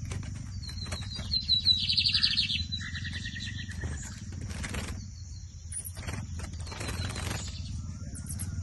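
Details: Lined seedeater (bigodinho) singing in a 2023 season song competition: a short burst of bright, rapid, twittering notes, with a brief lower chirped phrase after it, over a steady low rumble.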